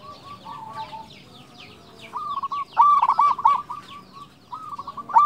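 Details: Local zebra dove in active song, kept to lure and provoke other doves: faint coos first, then loud phrases of quick pulsed cooing with a trailing roll, over steady high twittering from other birds.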